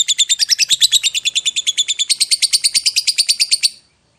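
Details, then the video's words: Lovebird performing the long ngekek chatter meant to provoke other lovebirds: a rapid, regular series of shrill, buzzy notes, around eight a second, running nearly four seconds before ending cleanly. "PANCINGAN LOVE BIRD PALING GACOR - Bikin semua jenis love bird langsung emosi nyaut NGEKEK PANJANG"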